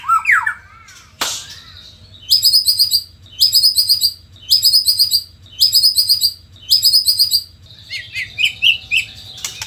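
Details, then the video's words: Indonesian white-rumped shama singing: a whistled slur and a sharp click, then five evenly spaced bursts of very high, rapid trilled notes about once per second, ending with softer chirps. "murai gacor super figter | shama bird Indonesia"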